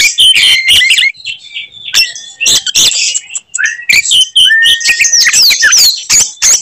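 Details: Oriental magpie-robin fighting song meant to provoke rivals: rapid sharp chips and clicks, then varied whistles including a long level note and fast downward slurs toward the end.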